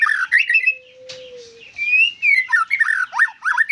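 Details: White-rumped shama singing harsh squawky notes and slurred whistles, with a long low steady whistle underneath and a loud click, before a final run of quick varied notes.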